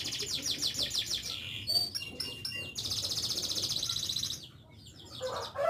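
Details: Canary singing: a fast, even trill of repeated notes, then a few clear whistled slurs and a long, rapid rolling trill, followed by a short pause and softer twittering.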